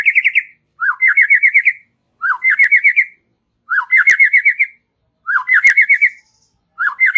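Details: White-rumped shama giving relaxed chattering song: five loud phrases about every 1.5 seconds, each a short upslurred note followed by a fast, even trill of five or six clear whistled notes.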